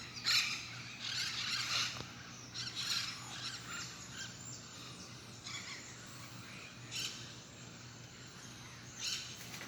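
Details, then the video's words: A pet parrot, used as a wake-up alarm, gives harsh, breathy squawks and short chirps in irregular bursts every second or two, over a steady low electrical hum. "parrot singing"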